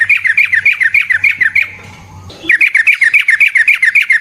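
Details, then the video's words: Fighting song of a yellow-vented bulbul, a lure recording meant to make other birds answer: quick, evenly spaced chirping notes, almost four a second, broken by a brief pause before the rapid series resumes. "Burung TRUCUKAN GACOR Ropel Panjang Cocok untuk PANCINGAN Trucuk bahan dan MASTERAN Burung Trucukan"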